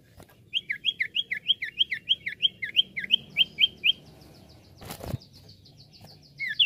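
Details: Common iora singing, recorded for use as a lure: a steady series of about thirteen bright, downslurred whistles at roughly four per second, then a sharp click and a quieter thin high series.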